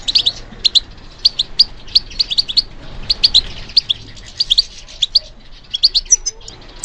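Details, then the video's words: European goldfinch song triggered by stimulation: a steady sequence of sharp, bright doubled chirps and twitters, evenly spaced through the recording, with a few thin, higher notes at the end. "How to encourage the goldfinch to respond to stimulation"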